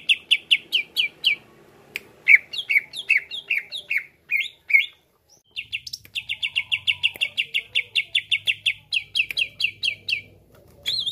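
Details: Cucak ijo, greater green leafbird, delivers a lively varied song meant to get other birds singing: quick chirp series, downward slurred notes, a short pause and a long even run of rapid repeated notes, with faint low hum.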